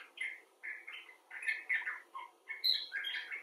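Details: Common bulbul talking in short bursts: a handful of clipped, slurred chirps separated by short gaps, ending in a higher, squeakier flourish.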